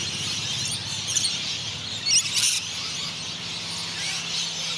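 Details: Rainbow and Scaly-breasted Lorikeets in their end-of-day squabble over perches in Noosa Biosphere Reserve, Queensland, Australia: a dense wash of shrill, rasping screeches with two sharper bursts of harsh squeals over a steady low hum.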